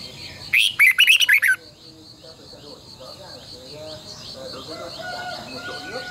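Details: A red-whiskered bulbul, recorded as a lure/training song for other bulbuls, gives a quick burst of loud, bright warbled notes for about a second, followed by faint chirps and a steady high hiss.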